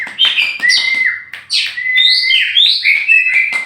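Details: Oriental magpie-robin, a tame champion from Meulaboh, Aceh, free-flying before being caged, delivers loud flat whistles and sharp down-slurs, several notes per second, varied and sweet.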